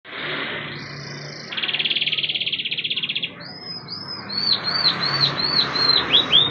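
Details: Canary song played as a lure to set other canaries singing, including young and silent birds: a hissy start, then a fast buzzy trill, then a string of rising whistled notes repeated about twice a second.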